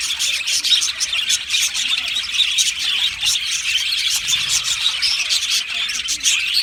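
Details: Many budgerigars in an Australian budgie aviary colony chirp and sing at once, making a thick layer of high, scratchy twitters and quick tweets that runs without gaps.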